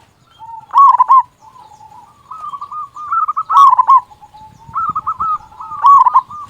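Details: Zebra dove, local and singing actively with a big voice, used to prompt other doves. Three loud, stuttered coo bursts about two and a half seconds apart, separated by softer, lower trilled cooing.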